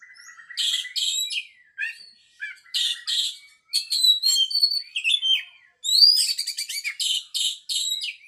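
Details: White-rumped shama in full song: bright whistles, rapid stuttering trills and quick chattering phrases, delivered in bursts with brief gaps and no other clear sounds.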